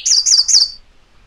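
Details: MacGillivray's warbler (Geothlypis tolmiei), song.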